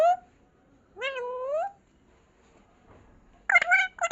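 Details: Indoor pet parrot, said to be talking "mummy mummy": a short call at the start, one drawn-out rising, harmonic, voice-like syllable near one second, then rougher, clipped syllables after three and a half seconds.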